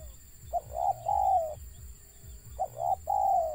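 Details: Wild zebra dove with a stammering call: two phrases, each a short clipped note then a longer rolling coo that drifts downward, with a low hum behind.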